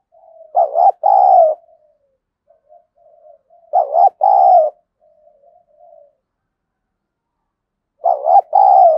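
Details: Provoking call of a decoy spotted dove with a scolding, aggressive voice. Three evenly spaced phrases, roughly every three and a half seconds, each a doubled short note and a long deep coo. Faint broken coos come between the first two phrases.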